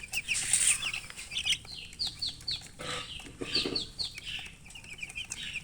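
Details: Thirsty baby chicks wanting drinking water, making repeated high, downslurred peeps in clusters, with rustling and scuffling sounds throughout.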